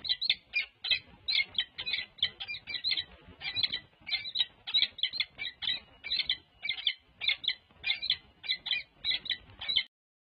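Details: Pair of wild peregrine falcons courting with beak touches at a Berkeley nest site, 14 February 2024; a long, steady chatter of harsh rapid notes, roughly grouped in twos and threes, stopping abruptly near ten seconds.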